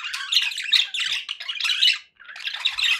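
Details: Pet parakeets give rough, buzzy warbling squawks in three dense bursts, then a short silence before another scratchy burst.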